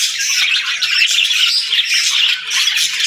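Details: Pet parakeets greeting the morning, with lovebirds kept alongside: a dense, unbroken wash of high chirps and squawks from many birds at once, steady in loudness for the whole stretch.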